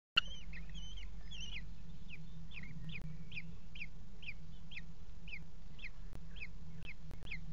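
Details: Four Common Kestrel chicks, the youngest just hatched, beg with thin, high, bending whines, about two a second, over a constant low hum, while being fed by their mother in a nest box at 17:00 on 28 June 2016.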